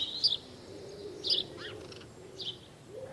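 House sparrow giving short, bright chirps about once a second, with softer lower chirps between and a faint background hum.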